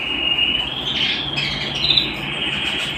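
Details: Home canary holding a long pure whistled note that climbs slightly in pitch, with a short higher buzzy flourish near two seconds, then the steady tone carries on; gentle hum beneath.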